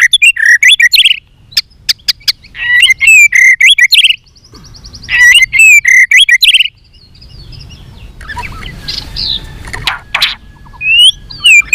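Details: White-rumped shama giving fighting song with tail flicking, many-voiced; loud bursts of rising whistled phrases and quick rattling notes alternate with short pauses, a few thin high trills after a quieter gap near the end.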